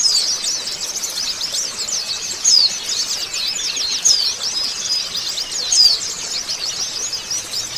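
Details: Sustained white-eye twittering used to prompt singing after moulting; thin, fast, high chirps pour out without pause, punctuated by louder piercing upslurred whistles roughly every one to two seconds.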